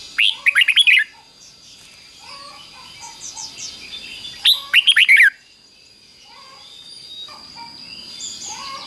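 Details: Red-whiskered bulbul, a cage bird, giving doubled 'ber' song phrases, fik-jik-fok, as a learning model for young birds. Two lively warbled bursts about four seconds apart, with softer chirps from other birds in the background and a steady high tone.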